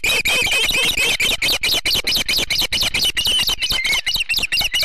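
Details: Osprey family at the Charlo nest, Montana, September 7, 2016, morning, recorded by a live camera; steady, rapid whistled chirps, a little over two per second, sharp and slightly rising.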